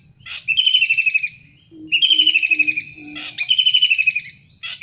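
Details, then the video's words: Kingfisher calling freely in the wild, recording intended as bird lure and tutor: three strident, descending rattled calls roughly every one and a half seconds, with four quiet low hoots between the first two. "Tengkek udang gacor asli alam liar"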